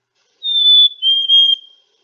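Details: A Black-capped Chickadee in New England in March whistles its early-spring song: a clear, high, pure note, then a slightly lower one with a brief break in it. No other sounds.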